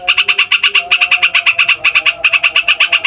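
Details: Yellow-vented bulbul in noisy rolling song used to lure wild bulbuls: quick, evenly spaced bright chattering notes pouring out without a break, faint low hum beneath.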